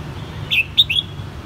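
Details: Hand-raised caged red-whiskered bulbul in Saigon, Vietnam, delivers three quick, ringing whistled notes, the middle one loudest, over faint low-pitched background noise.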